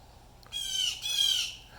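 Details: Blue jay alarm call, at least three birds present with a cardinal nearby: a single drawn-out, harsh, nasal squawk with a slight break in the middle, loud against a quiet background.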